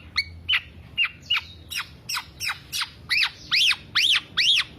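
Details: Black-naped oriole singing continuously as a lure or master recording for songbird keepers: a run of about a dozen short, nasal, down-slurred notes about every third of a second, later notes arching up and down and growing louder.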